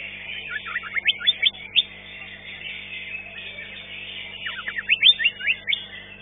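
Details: Green leafbird (cucak ijo) singing at a bird-singing contest, a fifth-place winner. Two bursts of rapid, rising, sharply slurred notes, the second around five seconds in, over a constant chorus of other birds.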